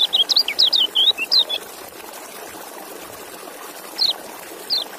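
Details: White-eye (kecial) gives a fast burst of about ten high twittering notes lasting under two seconds, then two isolated sharp chips after a pause, against a steady hiss.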